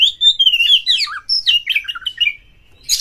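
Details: White-rumped shama, a caged bird provoked to fight a rival, singing rich whistled phrases with sliding notes and quick warbles, ending in a brief harsh burst.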